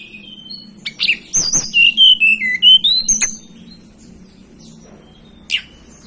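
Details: Hill blue flycatcher native to the Banten and West Java highlands of Indonesia giving a sweet whistled phrase of gliding notes that wander down and back up, ending with a single sharp chip after a pause.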